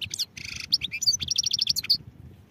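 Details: European goldfinch in full song: fast tinkling twitter opening with a short nasal buzz, then a run of bright, evenly repeated ringing notes ending in a high squeaky note.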